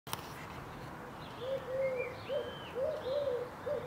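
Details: Eurasian collared dove in a home garden in Ljubljana on 15 April 2023, giving soft, low, hollow coos in short runs of about three notes. Faint high whistles from another bird sound above.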